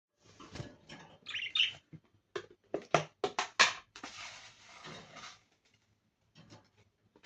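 Budgerigars give harsh, scratchy chirps and chattering bursts, calling out when hungry.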